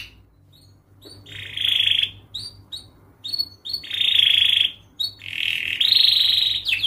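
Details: Canary song played to train young canaries: separate bursts of steady, ringing high trills, each lasting about a second, with short quiet gaps and faint soft notes between.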